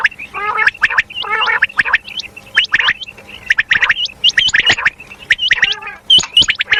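A female common quail gives a fast run of sharp, chirping and raspy notes, several per second, in dense bursts with short gaps.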